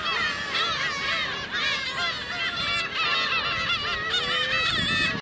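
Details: A dense chorus of Black-tailed Gulls at Okuki, Hachinohe, Japan, on 9 June 2013, sunny with fog later, giving nasal, cat-like mewing calls that overlap without pause, many birds calling at once.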